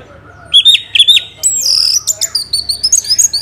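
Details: Orange-headed thrush, played as a lure to start other birds singing: two sharp whistled notes, then a sustained high buzzy trill and a fast run of short high chirping whistles.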